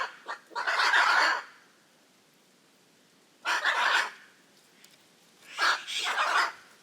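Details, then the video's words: Hyacinth macaws giving raucous, harsh squawks: three loud grating bursts spread over about seven seconds, each rough and broadband, separated by quiet gaps. "The raucous sounds of Hyacinth macaws"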